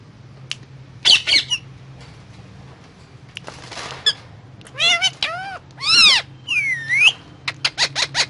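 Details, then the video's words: Indian ringneck parrot talking while eating guava: a varied run of arched, squeaky, strongly harmonic vocal sounds, some sweeping down and some up, then a quick series of five short bright notes at the end, over a faint low hum. "Indian Ringneck Parrot talking and eating guava"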